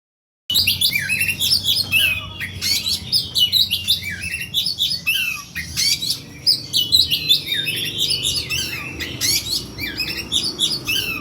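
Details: Oriental magpie-robin fighting song, played as a lure for other birds: a dense, fast, unbroken stream of high, sharp whistles, rapid trills and scratchy notes, against a steady low hum in the background.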